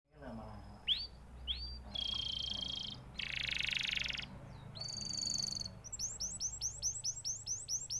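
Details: Canary singing a varied sequence: sharp upslurred whistles, dense buzzy rolls, a sustained high trill, then a fast series of rising notes repeated about four per second, with a low steady hum underneath.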